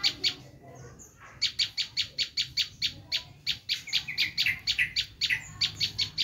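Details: Bar-winged prinia's screaming lure call for catching wild prinias: an almost continuous chatter of loud, buzzy notes at about four per second, with faint softer twitters between.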